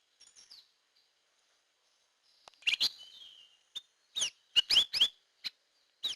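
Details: Hair-crested drongo lure call: faint high twitters, then loud rasping slurred notes followed by a quick series of bright upslurred and downslurred whistled chips.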